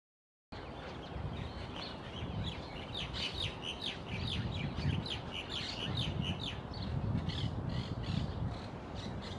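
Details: Crested myna perched beside the Quequén River path, Necochea, Buenos Aires Province, Argentina, on 13 July 2021. One bird gives a fast run of scratchy chattering notes over steady low rumbling wind and background noise.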